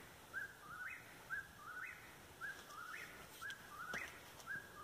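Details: Whip-poor-will calling nearby, heard from a roof in strong light, repeating its three-part whistled phrase with a rising, upslurred ending roughly every second, over a steady background hiss and faint clicks.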